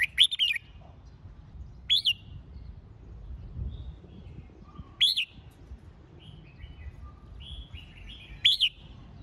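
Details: Song of a red-whiskered bulbul for competition training: loud whistled phrases spaced three to four seconds apart, first a quick double loop, then single rising notes, with soft chirping of other birds in the gaps.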